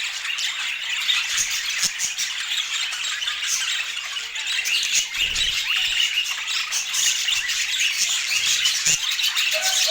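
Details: Many budgerigars feeding on healthy food in Scandinavian daylight keep up a constant, even chatter of high chirps and raspy squawks, with a few faint knocks and a short squeak at the end.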